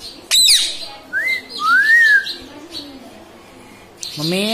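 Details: Pet parrot that speaks "mummy" and "papa": a sharp squawk, then two smooth, rising-then-falling whistled glides, and a harsh, buzzy note at the end. A person repeats "Mami" to it nearby.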